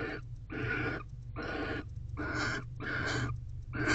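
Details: Barn owl in nest box at 9:50 pm on 28 December 2023, the female expecting the male to mate while he guards the entrance; harsh, breathy hissing bursts about half a second long, repeated in a steady run with low rumble beneath.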